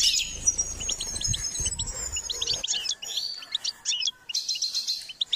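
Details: Trained goldfinch singing: a thin high whistle with rapid chirped notes, then twittering, buzzy phrases in quick bursts, low rumbling noise early on.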